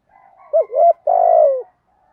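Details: Low, mellow cooing from a spotted dove calling in the morning to incite rivals: two short rising coos, then one sustained hoot that sinks in pitch, in a quiet setting.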